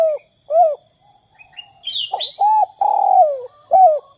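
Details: Spotted dove giving its 'kuk 2' call, used to coax other doves into calling: two soft coos, a pause with high bright chirps from another bird, then short coos, a long falling coo and a final coo.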